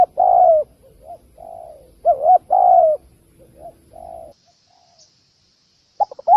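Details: Spotted dove calling as a trapping lure: loud long coos and doubled hoots alternate with fainter answering coos, followed by over a second of near silence and a final burst of short double notes.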